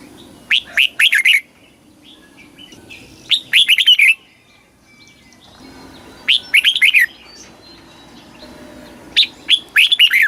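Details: Caged red-whiskered bulbul singing a southern master-style song used to stir caged birds and train young ones; short bursts of four or five rich, slurred whistled notes repeat roughly every three seconds, faint chirps between.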